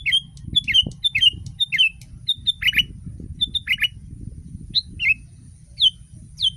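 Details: ['Sooty-headed bulbul tutor recording meant to make other bulbuls sing. Short chirpy whistled notes and downslurred phrases are scattered irregularly across the clip, with a steady low rumble underneath.']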